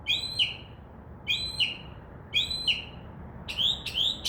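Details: Wild Northern mockingbird singing from a tree outside a window, a night visitor starting at midnight, known to mimic crow caws; a high chirped two-part phrase repeated three times about a second apart, then two quicker buzzy notes.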